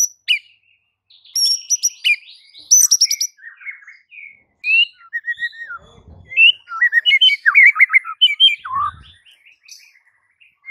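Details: White-rumped shama song used as a master recording to train silent birds: a rich varied run of whistled phrases, sharp chirps and slurred notes, with brief soft low thumps midway.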